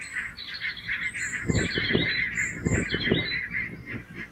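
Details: Grazing barnacle geese on full alert as two red foxes close in, a flock giving dense, overlapping barking honks, rapid and irregular, with low dull thumps scattered through the middle of the recording.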